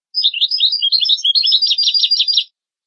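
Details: Training song of the European goldfinch for teaching young goldfinches and hybrids: a continuous stream of quick, sparkling chirps and buzzy trills lasting over two seconds, delivered on a clean, noise-free recording.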